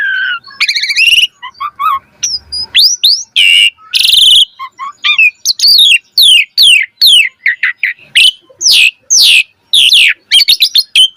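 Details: Asian pied starling pouring out varied training song for other birds: a buzzy trill, soft twitters, two harsh rasps, then a long rapid run of sharp downslurred whistles and chirps.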